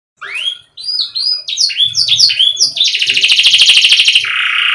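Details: Canary song for encouraging lazy canaries to sing: a few rising whistles and clipped notes build into a long, intense high buzzing trill, ending on a lower rolling tone.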